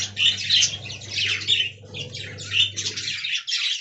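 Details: Budgerigars in an aviary colony, described as talking: dense, scratchy warbling chatter in overlapping bursts, with a steady low hum underneath.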